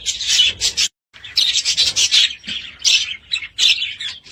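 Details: Budgerigars give buzzy, chirping bursts in short groups. A sudden brief silence breaks the sequence before the rasping warble resumes, more broken.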